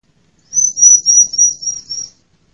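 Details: Female bar-winged prinia call, used as a lure to stir silent captive birds and draw wild ones in forest and gardens: one run of six thin, very high, even notes lasting about a second and a half.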